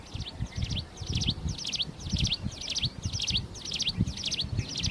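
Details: Plain prinia in the wild, singing vigorously: a steady chain of buzzy, trilling phrases repeated roughly twice each second against soft low rumble.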